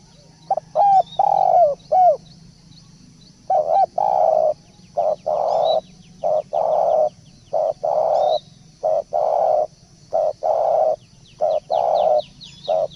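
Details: Spotted dove lure call. Opening coo phrases give way to a long run of evenly spaced, steady coos, about one per second. Faint high chirps of other birds and a constant insect drone sound in the background.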